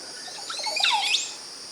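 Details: Montezuma oropendola in Costa Rican forest gives a liquid, bubbling gurgle sweeping steeply downward in under a second, over a steady hiss of forest insects.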